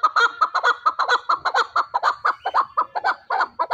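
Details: A fighting chukar partridge calls loudly in a rapid, rhythmic chain of chuck notes, around two per second and sometimes doubled, running without pause.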